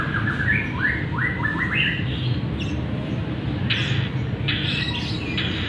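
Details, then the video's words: Long-tailed shrike, caged, singing mimicked phrases of canary and other birds: a series of fairly soft rising whistled slurs, followed by scratchy buzzy bursts. Steady low background rumble. "Cendet Gacor Isian Kenari, gereja tarung, kapas tembak, Buka Krodong Langsung Gacor"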